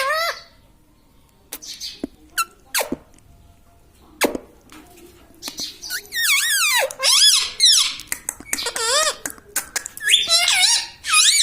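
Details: Pet talking parrot, said to say "mitthu mitthu" and "mummy", indoors: scattered clicks, then a run of loud, wavering, harmonic squawk-like phrases rising and falling in pitch, bunched over the last five seconds.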